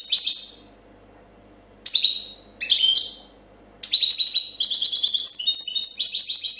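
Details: European goldfinch, champion in 2014, singing clean copia song: scattered quick bursts of bright slurred notes, then a long, rapid, evenly repeated run of high tinkling notes to the end.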